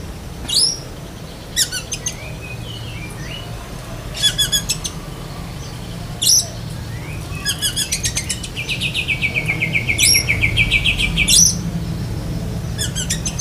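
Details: Black-breasted Oriental magpie-robin in lovebird-mimicking besetan kapas song: sharp high chirps and rapid stuttering note clusters every second or two, short twisting whistles, then a long fast rattling trill sliding gradually downward, over constant low hum.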